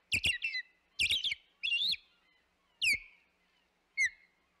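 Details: Osprey at its Hog Island nest, 25 May 2021: quick double and triple clusters of squealing, wavering whistles, then two single down-slurred cheeps that fade, with pauses between.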